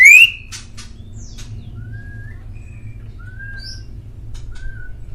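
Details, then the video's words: Indonesian male white-rumped shama, master song for prompting pet birds. One loud upward-sweeping whistle opens, followed by soft distant whistles and thin slurred notes spaced through the remaining seconds. "MASTERAN MURAI DI JAMIN BURUNG ANDA LANGSUNG NYAUT"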